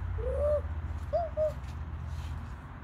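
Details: An owl calling: a longer soft tonal hoot that rises then falls, followed by two short arched hoots close together, set against a steady low hum.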